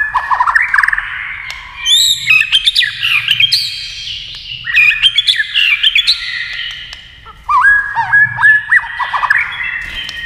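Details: White-rumped shama singing in competition against a television while flicking its tail: a rapid, varied song of rich whistles, sliding notes, trills and sharp chirps, delivered in quick bursts separated by brief pauses.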